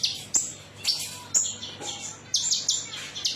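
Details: Konin metalik song used as a lure to coax other birds into singing. Sharp whistled notes come about once a second, followed by a burst of rapid high buzzy trills.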